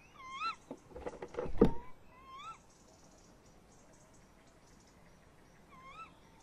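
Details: Tawny owls at a nest box on a late May evening at 21:45, male inside, female close by: wavering, rising-then-falling tonal calls with harmonics, several in a row, plus loud knocks and thumps on the box.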